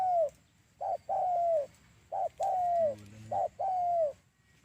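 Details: Spotted dove cooing as a trapping lure: three phrases, each a short note then a long level coo dropping slightly at the end; a brief low rumbling sound near the middle.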